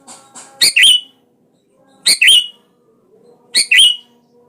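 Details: Sooty-headed bulbul calling out to a rival to lure it into song; short, sharp, bubbly double-note bursts spaced about one and a half seconds apart over an otherwise quiet background.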